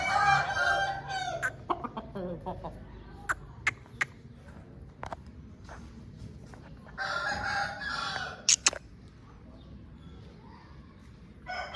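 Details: Aseel rooster of a home breed crowing twice, a hoarse, stretched cock-a-doodle-doo at the start and another about seven seconds later, separated by scattered sharp clicks and taps.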